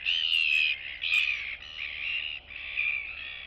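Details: Royal albatross chicks interacting with a neighbour and greeting each other in the colony, 9 September 2022; loud, continuous buzzy braying in four linked phrases, each under a second, over a faint electrical hum.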